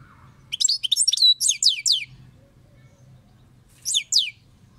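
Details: European goldfinch song in Turkey: a rapid 1.5-second burst of high, twittering slurred notes, a pause, then two brief downward-swept notes near the end.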